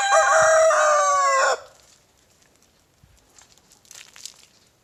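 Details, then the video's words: Young big brown rooster crowing in a backyard in the morning: one loud, rasping crow of about one and a half seconds, then quiet scratching and faint rustle. "Rooster Crowing in the Morning"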